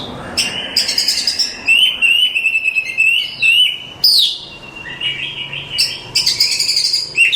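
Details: Oriental magpie-robin that won singing contests sustains long, pure whistled notes with a trilled overlay, then bursts into sharp downslurs and rapid, warbling phrases.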